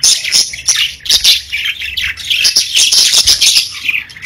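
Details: Pet parakeets singing: quick squeaky chirps and rolling scratchy warbles in waves of rising and falling loudness, several birds calling over one another.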